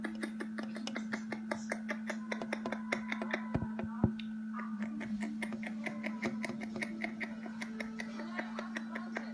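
A newborn black francolin chick chirps in rapid, sharp peeps several times a second, over a steady low electrical hum.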